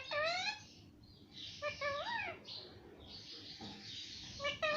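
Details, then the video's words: Parrot kept as a talking bird, saying mummy and papa, speaks in rich, nasal, voice-like syllables with bending pitch, in short phrases broken by breathy pauses. "मम्मी पापा बोलने वाला तोता - talking parrot"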